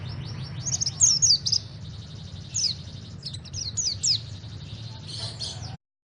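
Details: Pleci (white-eye) from Malang: bursts of high, thin, downslurred chirps and short trills against steady low hum, ending in silence.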